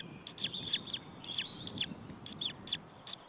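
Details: Estonian white-tailed eagle chick in its Saunja nest, 26 April 2013, parent away; clear, high-pitched chirps in small groups of two or three, some with a quick downward slur, over soft low background noise.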